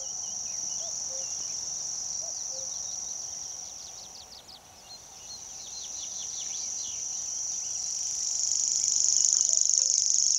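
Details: Common grasshopper warbler (Locustella naevia) song in Šumava, 2014: a high, dry, unbroken insect-like reeling trill running steadily throughout, with brief chirps from other small birds behind it.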